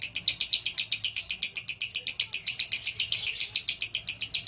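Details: Konslet-style song of a male lovebird: a shrill, buzzy chatter of evenly spaced pulses, around four per second, continuing without pause.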